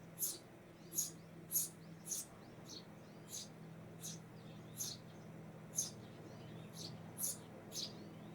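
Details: Eurasian tree sparrow calling with a series of about a dozen sharp, high chirps, quick pairs early then steadier spacing near one second apart, above a faint low electrical hum.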